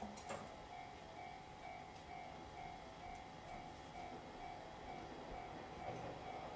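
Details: Rumbling railway sounds with steady humming tones and a sharp clank near the start, no animal voice heard.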